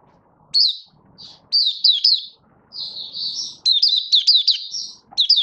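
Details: Caged Malaysian Oriental white-eye (mata puteh), a hobby songbird not yet in form, giving its opening song (buka sing), 1 August 2023: high, thin twittering phrases with quick rising and falling notes, separated by short pauses; faint low room noise.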